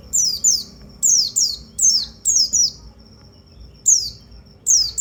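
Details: White-eye calling to rouse other white-eyes, giving sharp, very high notes that each slide steeply downward, mostly in quick pairs, with short pauses between bursts and a quiet background.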